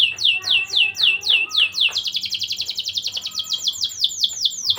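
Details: Canary in full song, used to excite young canaries. A few slow descending whistles break into a rapid, rolling trill of bright, high notes at roughly four per second.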